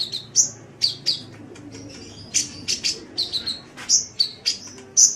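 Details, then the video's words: Sunbird song for masteran training: a lively string of piercing high chips and short downslurred whistles, delivered irregularly, some notes doubled, over a faint low background hum. "Masteran Suara Kolibri"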